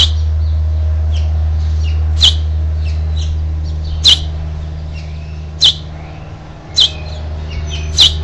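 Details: Last baby house finch being urged out of the nest on 12 June 2007: five sharp, piercing chirps at uneven intervals of one to two seconds, with faint soft twitters between them and a low background hum.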